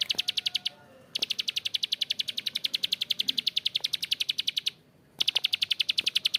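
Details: Harsh, long ngebren calling from a bar-winged prinia (prenjak klik, ciblek sawah). A brief run of rapid dry clicks gives way to a long continuous stretch, then a pause and a fresh burst of the same clicking.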